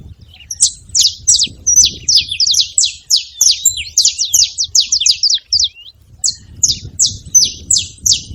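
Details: Saffron finch with crowded, overlapping high chirps that pause briefly, then resume in a steady repeated series, faint low noise behind.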